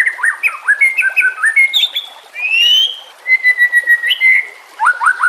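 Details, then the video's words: Training and lure recording of a white-rumped shama amid nature sounds and water: stuttering whistled notes, a long rising whistle, a sustained level whistle, then quick upslurred notes. "Murai Batu Langsung Merespon Dan Ikut Bunyi Dengan Pancingan Ini"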